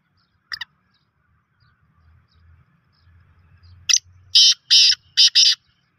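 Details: A black francolin calls: one isolated clipped note, a low rumble of background murmur, then the full rasping phrase of a lead-in note followed by four broad, scratchy notes in quick pairs.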